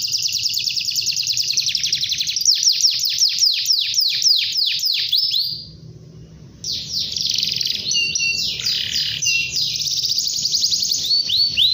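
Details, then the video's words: Domestic canary singing a long song to call a rival: fast repeated trills of sweeping notes, a brief pause near six seconds, then more rolling trills and rapid rattling phrases, with faint low hum. "KENARI GACOR PANJANG kenari memanggil lawan"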